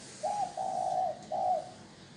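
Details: Spotted dove cooing, used as a decoy call to lure wild doves: three low, hollow coo notes, the middle one long and steady, followed by a slightly shorter final coo, in a quiet setting.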